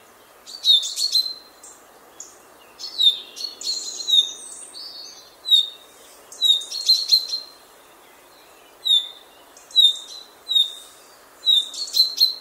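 A common chaffinch sings bright, tumbling phrases of high notes, repeated every couple of seconds.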